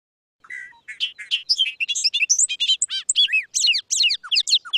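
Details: Bobolink, a spring migrant in southern Quebec, sings a bubbling, tumbling song of rapid, high, jumbled notes with a metallic, machine-like, wind-up-toy ring, strongest in the opening phrases.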